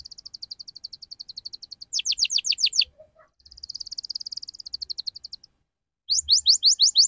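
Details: Canary ngriwik lure song for juvenile birds: a quiet fast trill, a burst of loud sweeping notes, a soft rolling trill, a pause, then more loud downslurred sweeps.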